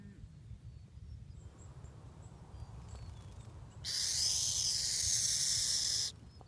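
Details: A burrowing owl, scaring animals away, gives a single loud, harsh two-second hiss mimicking a rattlesnake's rattle; faint high chirps and low background rumble precede it.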